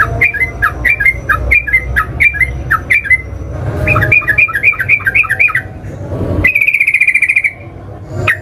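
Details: Yellow-vented bulbul lure song in ngeropel style: quick runs of bubbly, slurred notes at a brisk uneven pace, a tighter rising-and-falling run, then a higher rapid buzzy trill lasting about a second over a steady low hum.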